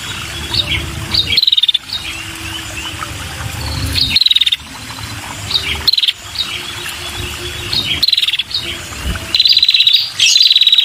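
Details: Female red-headed prinia calling to lure males: rapid ticking trills near one pitch, in short bursts with abrupt cuts between them, over a low background hum.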